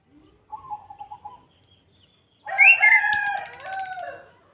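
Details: Orange-headed thrush from Salatiga, Indonesia, giving kretekan to provoke other birds: a soft wavering low trill, then a loud harsh layered scream with a fast dry high rattle running over it for over a second.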